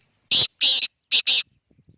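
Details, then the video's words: Black francolin calling: a harsh, grating phrase of four loud, broadband notes in two pairs, clipped and emphatic, followed by a few faint soft ticks. "kala teeter ki awaz"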